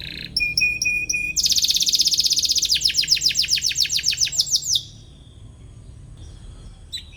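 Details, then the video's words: Canary song aimed at challenging a rival and coaching young canaries. Evenly spaced paired whistles lead into a loud rolling trill of rapid pulses, then the song fades to near quiet with one final chip. "KENARI GACOR CUIT CUIT MENCARI LAWAN BIKIN EMOSI"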